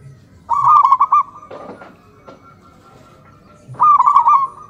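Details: Local zebra doves calling back and forth in the morning: a pulsed, rolling coo phrase, then a quiet gap with faint rustling, then a second matching staccato coo, all at one steady pitch.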